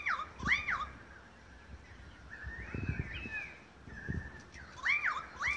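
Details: Australian magpies in Beverly Hills, Sydney, Australia, August 2015, singing together in a long concert; arched warbling notes at start and end, a softer gurgling passage in the middle, with low background rumbles.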